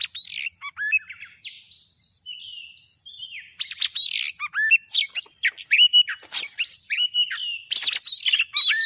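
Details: Oriental Magpie-Robin (kacer) lure recording for trapping: fluid varied phrases mixing sweet whistled notes, downslurred chirps and quick scratchy notes, with brief pauses between bursts and no other sounds.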